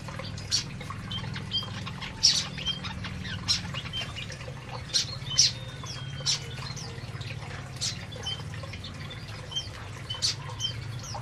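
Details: Canaries eat in an aviary. Brief high chirps and thin tweets come every second or so, with a short sliding whistle in the middle, over a constant low mechanical hum.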